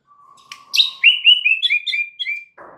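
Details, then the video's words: White-rumped shama song used as a lure to make other shamas sing: a long low whistle, then a falling series of clear slurred whistled phrases, ending in a short burst of noise. "PANCINGAN Murai batu untuk MEMIKAT murai lain AGAR GACOR dan TAMBAH ISIAN"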